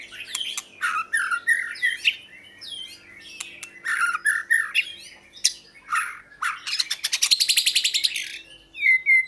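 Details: Oriental magpie-robin with a rich, varied song of downslurred whistles and squawky notes, then a fast buzzing trill and closing clear whistles, over a faint steady hum.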